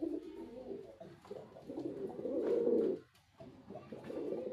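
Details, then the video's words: A white male pigeon coos in low, throaty, rolling bursts, swelling and fading over a few seconds with brief pauses between phrases. "Pigeon🕊️ Sound Effect 🔊 || Male Pigeon🕊️ Super Performance👍"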